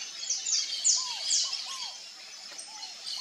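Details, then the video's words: Saffron finch singing free in the wild: a run of sharp, high, quickly descending chirps, several per second, with fainter lower arched whistles from another bird beneath. "CANÁRIO-DA-TERRA (SICALIS FLAVEOLA), SAFFRON FINCH, AVE CANORA Livre na natureza."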